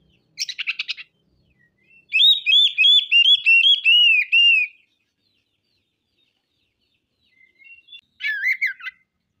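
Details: Singing kacer, the oriental magpie-robin, unloading its repertoire: a short buzzy rasp, then a loud run of sweet, slurred whistles wavering up and down for about three seconds, and finally a brief scratchy warbled phrase.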